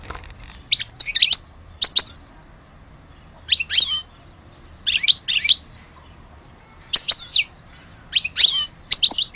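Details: European goldfinch of Algeria giving short, bright, twittering chirp groups, each under half a second, repeated at irregular intervals with quiet gaps between.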